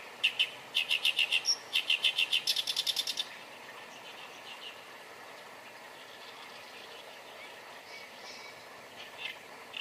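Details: Oriental reed warbler singing: a rapid rattling series of harsh, repeated notes for about three seconds, then mostly quiet hiss with faint distant notes.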